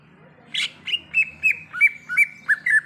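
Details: Greater green leafbird in the wild: one rough buzzy note, then a run of evenly spaced whistled notes about four a second, slurring downward, over a low steady hum.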